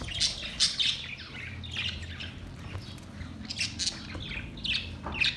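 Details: Budgerigars, 22 May 2023: a busy run of short, high, scratchy chirps and squeaks in quick bursts over a low background hum.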